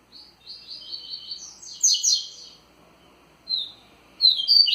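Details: Tui Tui style song of a rusty-collared seedeater, delivered with strong vigor: rapid repeated high notes rise into a loud twittering climax, a short pause, then two more bright bursts.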